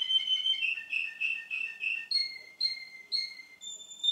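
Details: Russian canary male, recorded again two months later, delivers a fast warbled trill then evenly spaced short whistled pulses about twice a second, ending on a high held note.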